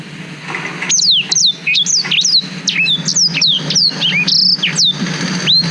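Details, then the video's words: Black-throated canary song used as a tutor for training young canaries, recorded on a GoPro Hero 5: a rapid run of sweet whistles sliding down from high pitch, with trills and buzzy notes, over a steady low hum. "Suara Blackthroat Durasi Panjang Untuk Masteran Kenari"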